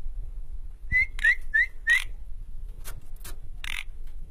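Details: Asian pied starling, a bird being tamed, giving four short rising whistles in quick succession, followed by scattered harsh rasping bursts against a quiet low hum.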